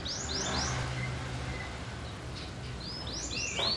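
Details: Oriental magpie-robin of the blorok type, a kept songbird, singing while pushing its tail: a few quick high downward-sweeping notes at the start, then a pause and another run of sweeping notes, over steady low background noise.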